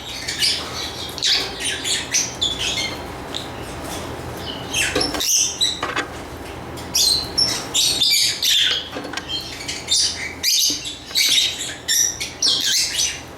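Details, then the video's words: Continuous lovebird chatter: rapid harsh squeaky notes and shrill chirps tumbling over one another, nearly unbroken, with a brief pause midway. "Lovebird Chirping Sounds"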